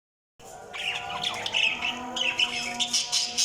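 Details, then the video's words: Budgerigars chirping: quick bright chirps and warbled squawky notes in bursts, with a steady tonal hum or music underneath. "Budgies Sounds| Budgies Chirping sound"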